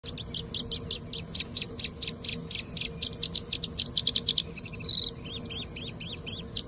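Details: Singing bush lark song: long run of rapid, high, dry chirped notes repeated several times a second, a brief buzzy warble near the middle, then sharp rising whistled notes at the end; faint steady hum behind.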